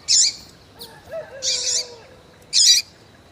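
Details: Three loud, harsh high chirps from a calling female double-collared seedeater, used to stimulate a male, with soft lower whistled notes from another bird between them.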